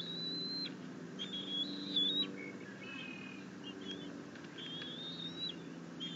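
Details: Bald eagle eaglet chittering happily as its mother delivers a fish to the nest, dated 6.9.21, after the young bird had tried feeding itself on a rabbit: thin, high whistled notes, some held and wavering, others short and clipped, over steady low hum.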